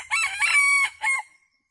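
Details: Decoy red junglefowl rooster calling wild junglefowl to come and feed with it, recorded abroad: a loud crow in four parts, a short opening note, a long sustained middle phrase, then a brief final syllable trailing off, on a quiet background.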